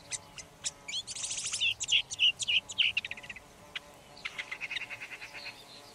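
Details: Song of a red-backed shrike mixing rapid dry clicks, a quick buzzy rattle and several clear looping whistles, then a fainter chattering run near the end.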